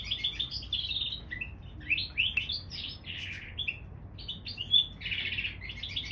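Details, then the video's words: A canary x bullfinch hybrid sings a continuous, varied warble of high chirps, trills and buzzy rolls over a faint low hum of room noise. "Mulet canaris bouvreuil"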